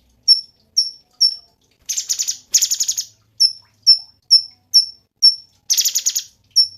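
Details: Cungkok bird song, used as a master recording for teaching songbirds: sharp, high whistled notes that drop slightly, repeated about twice a second, broken by three harsh, buzzy rattling bursts.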